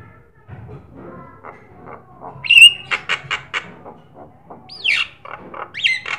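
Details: Javan myna singing actively, a recording meant to prompt other caged birds to sing: harsh chattering bursts and buzzy notes mixed with clear whistles and a quick rising-falling whistled sweep, with low murmuring in the background.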